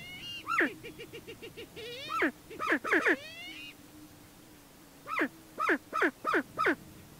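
Greater prairie chicken giving loud, harsh cackles that drop sharply in pitch, in quick bursts of three or four, over a steady low hum.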